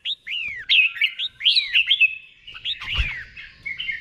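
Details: Caged red-whiskered bulbul singing slow, clear 'beun' phrases for birds to learn: smooth descending whistles leading into a lively string of looping notes, ending in softer trailing whistles and a faint knock.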